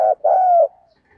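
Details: A spotted dove (Spilopelia chinensis) gives a fighting coo, provoking a rival to fight: a short low coo followed by a longer, steady, mellow coo, deep and resonant, with nothing else heard.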